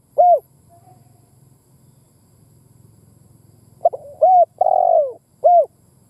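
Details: Lure spotted dove (cu đất) in a mixed gáy, thúc and gù calling sequence meant to excite kept doves: one rounded coo, a long pause over low hum, then clipped notes, a wavering falling coo and a closing coo.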